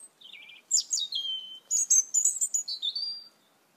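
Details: Asian glossy starlings, a large group feeding on papayas in a yard, give a buzzy trill, then loud squeaky slurred whistles and a rapid series of shrill metallic chips, ending with a drawn-out high whistle.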